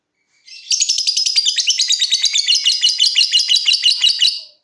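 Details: Lovebird giving its long ngekek trilling song, kept as a cage bird: a fast, unbroken, chattering run of high rasping pulses lasting nearly four seconds, steady in loudness, then stopping abruptly.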